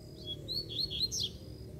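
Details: A free-flying, feisty ('fibrado') Double-collared Seedeater sings a brief run of clear, high slurred whistles, rising and falling quickly one after another, over a faint low background hum.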